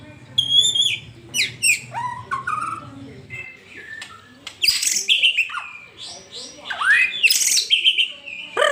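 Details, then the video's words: Song of a white-rumped shama, played to get a pet shama singing. Varied whistled phrases and sharp upward sweeps, some loud and some faint, with a low hum in the first part. "Murai batu anda auto bunyi setelah dengar ini"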